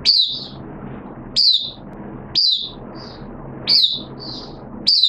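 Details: Caged oriental white-eye, recorded 13 September 2022 on the second day of a monthly deworming treatment, opening into song: sharp high chirps that slide downward, repeated about every 1.2 seconds over a steady low hum.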